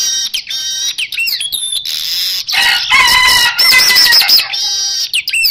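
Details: Asian golden weaver song used as a lure, loud and busy: bright whistles and buzzy trills stacked high, with harsh chatters and wavering upslurred notes crowding one another.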